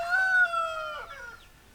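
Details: End of a rooster's crow, a drawn-out harsh note that slides down and fades away with a hoarse trailing tail.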